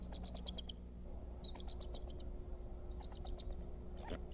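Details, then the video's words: Male bald eagle at the Decorah nest, 26 February 2014, giving alert calls as an intruder is pursued: bursts of rapid, high, piping chirps with ringing overtones, four runs of sharp notes separated by short pauses over a steady low hum. "Dad gives alert. Pursued Mom an intruder???"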